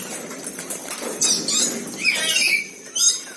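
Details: Asian glossy starling, known locally as cucak keling or perling kumbang, singing actively; a jumble of high buzzy notes and thin whistled squeaks, with short rising and falling whistles near the end over a steady background hiss.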